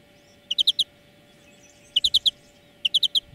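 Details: Short bursts of three or four quick, bright chirps from a European greenfinch, repeated about once a second on a training track for cage birds, over a faint hum.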